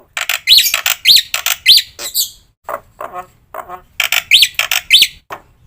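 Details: Black-winged myna song used for training other birds, full of fill phrases: loud harsh squawking notes mixed with rising squeaky whistles, delivered in irregular clusters with short breaks.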